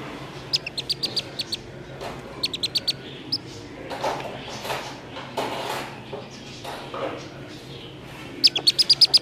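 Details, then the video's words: A black-bellied whistling duck (Dendrocygna autumnalis) chick, found at a roadside around 6:30 in the evening, gives shrill, high distress peeps in quick bursts of five or six, over rustling and soft voices. "llamado de auxilio de un pichón de pisingo o iguaza Común"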